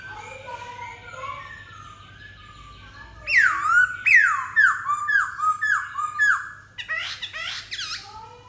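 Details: A black-throated laughingthrush delivers a loud series of six ringing whistles, each sliding sharply downward, about one every half second, preceded by soft warbling and followed by a burst of harsh, buzzy chatter.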